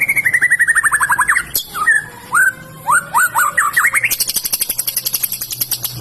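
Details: White-rumped shama singing when provoked by a rival: a rapid run of descending whistled notes, then separate upswept whistles and a fast rattling trill with high buzzy notes above.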